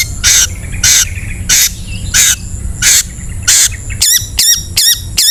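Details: Ngetet-style song of a long-tailed shrike, played to coax reluctant birds into singing: loud harsh rasping bursts spaced under a second apart, followed by quick hooked whistled notes in rapid succession.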